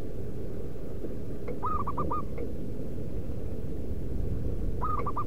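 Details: Lure call of a local wild-type zebra dove, used to draw wild doves and make caged birds sing: a cooing phrase of one long and three short notes, repeated about three seconds later over low rumble.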